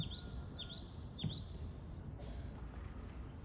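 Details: Japanese tit in Japan giving a brief run of rapid, high, down-swooping phrases that stop after about one and a half seconds, followed by a soft rushing noise against a low background rumble.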